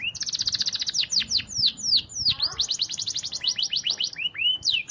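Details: Canary song meant for training other canaries: quick rolling trills followed by loud downward-swept whistles, repeated in rapid bursts with faint low background noise.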